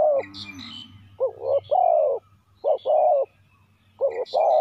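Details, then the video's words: Spotted dove decoy calling to attract wild doves. It repeats deep three-part coos, with two short notes and a longer sustained one. Other small birds chirp high above. "chim cu mồi gáy gọi bổi"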